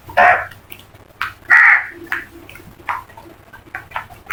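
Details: Crows calling as a flock: two loud, harsh caws stand out, followed by several fainter caws from other birds at varied distances, the calls coming irregularly about once a second.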